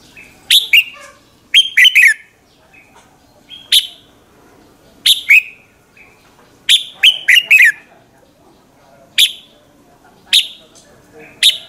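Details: Morning song of a red-whiskered bulbul, played as a lure to rouse other birds; repeated bright chirps, some single and some in tight triplets, sweeping downward, with short gaps between phrases and faint background hum.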